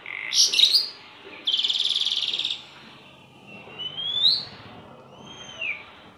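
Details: Kept starling singing actively: sharp chattering chirps, then a long buzzy rasp, followed by two quieter whistles, one rising and one falling.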